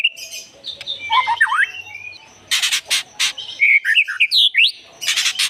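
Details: White-rumped shama lure song: a varied mix of whistled slurs and short sweeping notes broken by loud harsh broadband bursts, with a faint background hum.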